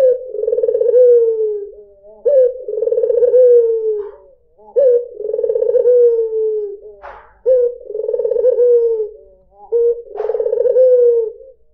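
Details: A steady series of five cooing phrases from a white dove (puter putih), used as a lure for other birds. Each phrase is a quavering, rolling trill ending in a smooth, falling drawn note. Brief clicks sound in between.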